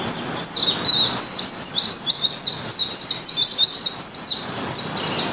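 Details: White-eye singing in the morning, Malang, Indonesia: rapid high-pitched twittering song of thin sliding notes, bright and continuous, with faint background noise.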